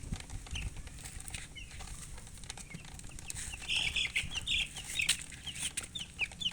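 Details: Faint scattered chirps from colored chickens swell into a cluster of louder, busy high peeps midway, amid steady rustling and low background rumble.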